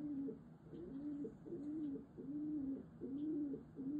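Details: Indoor pet female pigeon cooing and bowing toward its owner in affection; steady run of low, rolling coos, each a brief rise then a held note, repeated about every half second.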